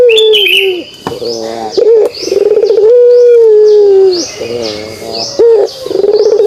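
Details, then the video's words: Pelung dove giving the kugeruk call: a falling coo, stuttered pulses, then a long drawn-out smooth note that sags at the end. The pattern starts again. High chirping from other birds is audible. "suara kugeruk burung puter pelung"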